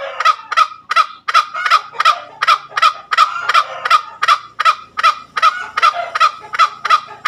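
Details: Junglefowl, tame, in a sustained ngekek cackle: rapid hoarse notes repeated close to three times per second in an even, unbroken series.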